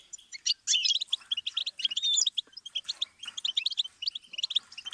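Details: Goldfinch song for song-learning birds: five seconds of busy twittering with bright high chips, sweeping whistled slurs near two seconds and rattling, buzzy stretches. The notes are tightly packed throughout.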